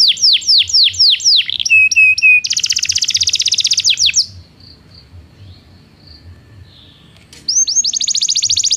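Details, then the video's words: Belgian canary song for training non-singing canaries: a series of falling whistled notes, a steady pure tone, then a dense rapid trill, a quiet stretch with faint soft notes, and another high trill. "Canto de canário belga - treinamento para canários não cantores"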